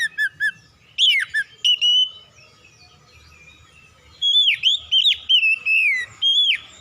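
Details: Loud, powerful song of a white-rumped shama, opening with short clipped whistles, then after a quiet gap a flowing string of sliding, downslurred whistled phrases repeated rapidly.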